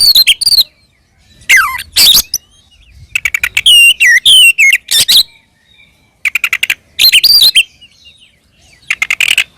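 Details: Oriental magpie-robin singing its ngeplong fighting song, meant to provoke other magpie-robins into replying: loud bursts of sweet whistles and sliding notes mixed with harsh buzzy rattles, separated by short pauses.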